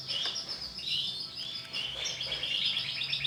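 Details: Bright green female canary: soft, continuous twittering warbles with high chirped notes running through the whole stretch, some faint low background hum.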